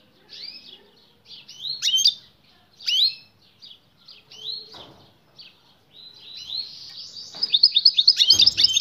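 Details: European goldfinch female calling to spur the male into mating, the male starting to sing; separate sharp slurred chirps building into a rapid, regular twittering trill at the end.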